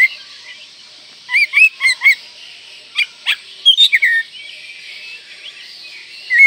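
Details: Oriental magpie-robin in breeding condition, singing a richly varied song to provoke rivals: twisting whistled notes and sharp clicks in short bursts, then a quiet stretch before a final high whistle.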